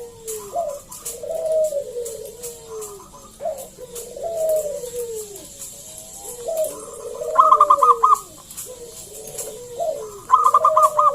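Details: Zebra dove, local wild-type, singing to lure other doves into calling: low rolling coos repeated every few seconds, each phrase falling, with bursts of rapid staccato notes near the end and faint high hiss behind.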